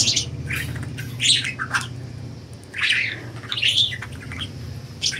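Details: Budgerigars let out of their cage chatter in dense runs of bright chirps and harsher squawky notes, over a low humming background.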